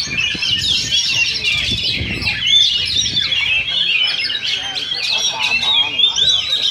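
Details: Dueling Oriental magpie-robins at a Sindanglaut practice contest pour out dense song: squeaky whistles, harsh squawk-like notes and fast trills all overlap. Audible people talk beneath.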